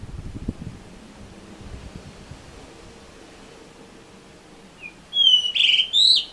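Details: Blue rock thrush in Misaki town, 14 April 2013, singing from a balcony during strong wind instead of its usual rooftop or pole perches; after quiet low background rumble, a brief note leads into a fast, bright, whistled warbling phrase near the end.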